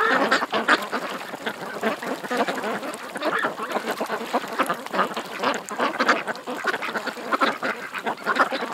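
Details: Continuous quacking from many ducks gathered at a creek, coarse nasal calls piling on top of one another for the whole stretch.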